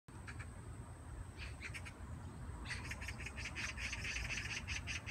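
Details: A magpie in South Korea, recorded 16 September 2017 under fine clouds, gives harsh, rattling chatter in quick bursts that grow denser and louder partway through, over a steady low rumble of background noise.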